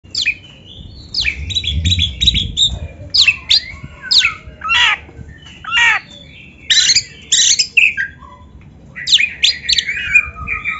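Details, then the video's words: White-rumped shama, a bird kept for song training, singing a varied phrase of sharp repeated chips and rising whistled notes in bursts with short pauses; faint low rumble beneath. "SUARA BURUNG KACER MASTERAN"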